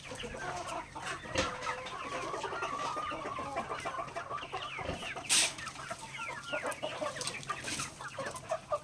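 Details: Backyard native chickens pecking grains at feeding time; a flock's dense overlapping clucks and short rising chirps, with sharp pecking clicks and a brief scrape of noise midway.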